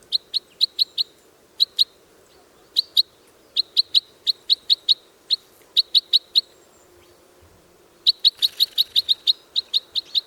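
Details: Red crossbill recorded in the wild gives sharp, high kip flight calls in quick runs of two to six, with pauses between bursts; a faint hiss sits underneath.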